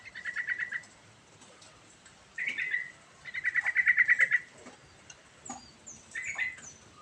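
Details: Yellow-vented bulbul singing in the rolling ngerol style: bursts of rapid, bubbly pulsed notes near one pitch, each phrase about a second long, separated by short pauses, with faint higher chirps at the end.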